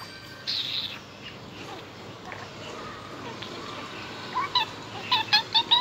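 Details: A parrot named Pippi, newly learning words, gives a high squawk, then a run of short, speech-like syllables in quick bursts near the end, over a faint room hum.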